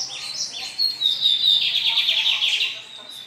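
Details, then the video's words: A lined seedeater, praised as an outstanding singer, sings a fast, bright run of high chirps and buzzy trills, densely repeated for about three seconds, with faint speech in the background. "bigodinho com canto Espetacular!"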